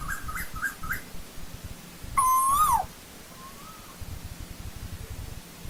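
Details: Asian koel in old-growth forest giving one loud whistled call near the middle: a steady tone that rises, then drops sharply. Fainter short whistles come before it and a soft rising note after. No other noise.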